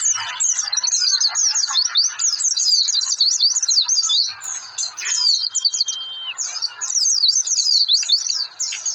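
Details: Oriental white-eye singing a lure song to set other birds singing; continuous bright high chatter of quick slurred chirps, a pause near four seconds, and a long steady whistled tone around five to six seconds.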